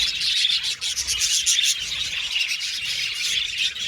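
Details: Budgerigars in an aviary colony, many birds chirping together in a dense, continuous high-pitched chatter of overlapping twitters and warbles, steady throughout with no pauses.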